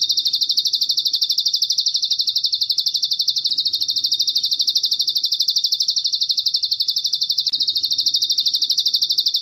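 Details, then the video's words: Bar-winged prinia singing on bird-tutoring audio with cililin fill: rapid, regular high-pitched pulses forming one sustained buzzy trill, near three per second, over a quiet low background. "Ciblek Gunung Gacor||Masteran CIGUN full audio isian CILILIN jernih bersih 100% mudah di ingat"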